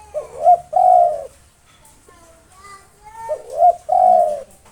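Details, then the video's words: Two coo phrases from a local spotted dove singing to draw out rival birds: short rising notes followed by a long, steady coo, about three seconds apart, with faint whistled sounds in the gap. "SUARA BURUNG TEKUKUR LOKAL NAFAS PANJANG GACOR NONSTOP MANGGUNG 7 MENIT COCOK UNTUK MANGGIL LAWAN"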